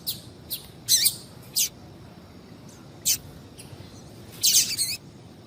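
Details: Female Double-collared seedeater calling to stimulate a male to sing: about six short, sharp, high chip notes at irregular intervals, some single and some in close pairs, over a quiet background.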